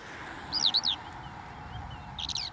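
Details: Eurasian skylark at Uitkerkse Polder, Belgium, April 2021, giving two short bursts of high, chirping, rapidly modulated notes about two seconds apart, with a soft low hum behind.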